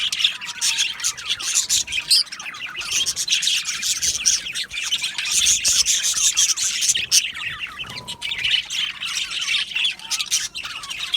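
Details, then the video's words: Colony of Australian budgerigars in an aviary, many birds chirping at once: a dense, unbroken stream of high, scratchy twitters, warbles and short squawks overlapping without pause, with brief fluttery wingbeats and no other sounds. "Budgie Chirping Sounds"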